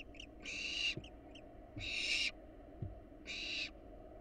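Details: Wild barn owls in a nest box: short chirpy notes precede three long rasping hisses spaced about a second apart, with light tapping sounds underneath.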